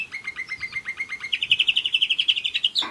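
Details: A one-year-old German Roller-split canary sings an even, pulsed trill, shifts up into a faster, brighter roll, and closes with a sharp abrupt note.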